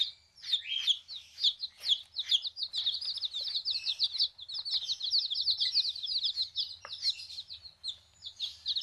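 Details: Backyard baby chicks just arrived, a crowd peeping nonstop: rapid high-pitched chirps, many at once, rising into a busy chatter midway, over a soft low hum.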